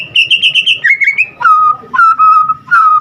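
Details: White-rumped shama song: a rapid high trill, then long clear whistled notes stepping down in pitch and held steadily, with faint low background noise.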